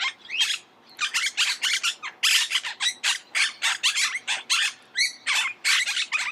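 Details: Monk parakeets screeching in a rapid, nearly unbroken stream of harsh, rasping squawks, several birds apparently calling together over six seconds.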